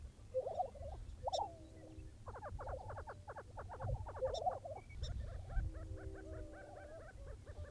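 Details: Lesser prairie chickens near Buffalo, Oklahoma, in the early morning: bubbling cackles and rapid runs of clucking notes in busy bursts, with a few sharp high clicks and low wind rumble throughout.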